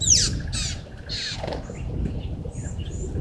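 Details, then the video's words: Wild rattling cisticola at Gowrie dam waterhole in the Sabi Sand, South Africa, on a September 2023 morning. Three harsh, dry rattles come in quick succession, followed by faint high chirps from other birds over low background rumble. "Rattling Cisticola below cam"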